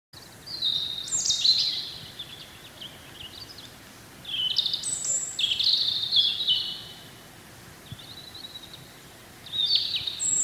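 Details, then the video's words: Wild European robin singing in spring: three separate phrases of high, thin whistles and trills jumping between pitches, each lasting about two seconds with short pauses between, over a faint steady background hiss. "chants , cris du rouge gorge HD/songs , calls european robin HD"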